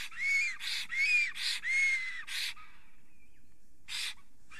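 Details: Male black stork at an Estonian forest nest, 30 April 2020 at 10:48 am, worked up by a female nearby. Three or four wheezy hissing phrases with curved whistles, then near silence and a last breathy burst.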